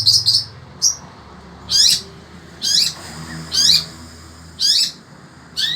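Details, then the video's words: Pet long-tailed shrike of the sembur kind, singing through intense heat in Indonesia; loud harsh high notes delivered singly about once a second, each a short scratchy burst, separated by quiet gaps and soft hum. "burung cendet ini tetap MELOCOR dor"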